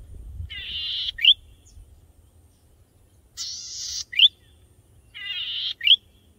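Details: Singing male golden-headed cisticola in breeding plumage, perched high on a grass stalk seeking a mate; three buzzy phrases, each closed by a sharp upslurred whistle, spaced about two seconds apart, with faint building noise.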